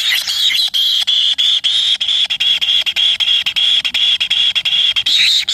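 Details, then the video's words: Kingfisher chick begging while its parent feeds it: a steady, high, whining tone held almost unbroken for over five seconds, cut by quick regular clicks and short breaks. "anak burung tengkehk diberi makan induknya"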